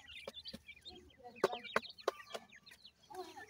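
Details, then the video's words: Francolin (teetar) chicks feeding among Iranian pheasant chicks in captivity: repeated high, slurred peeps from several birds, mixed with rapid pecking taps and clicks. "partridge teetar baby feed"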